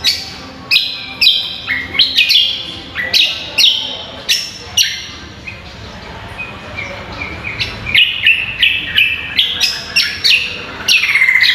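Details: Training recording of a greater green leafbird, known locally as cucak kombo, in lively contest-style song: dense runs of sharp, bright high chirps and short slurred notes, pausing briefly mid-phrase before resuming rapidly.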